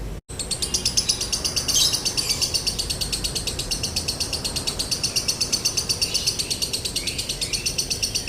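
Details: Lovebird in the konslet style with a dry tone, used as a tutor and lure recording, pours out a fast, unbroken chatter of sharp, high ticking notes pulsing about six times a second throughout.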